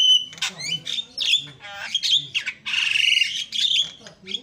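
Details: Javan myna delivering a loud, varied song to goad other mynas into responding: scratchy chatters, squeaky whistles and a long raspy churring phrase, all run together almost without pause.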